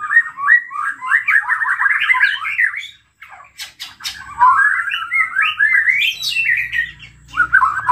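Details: White-rumped shama in full energetic song, used to provoke other shamas into singing: harsh, scratchy chattering phrases run together for three seconds, a short pause with sharp clicks, then more rasping, rising warbles.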